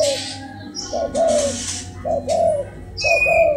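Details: Crossbred spotted dove gives three low two-note coos, each a brief lead note and a drawn-out wavering note, spaced about a second apart, with hissy noise bursts between.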